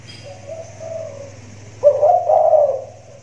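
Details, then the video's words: Loud-voiced caged spotted dove calling from a hanging cage in the rainy season: a soft, muffled coo followed by a strong, drawn-out mellow coo, over a steady low electrical hum. "tekukur suara besar, lagi manggung di sangkar layang"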